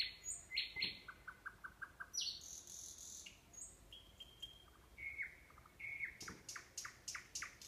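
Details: Nightingale singing near the Orbita sanatorium, Kurchatov district, Kursk region, Russia: high whistled notes, a run of short repeated clicks, a sustained pure tone, then sharp rapid whistled notes, with short gaps between phrases.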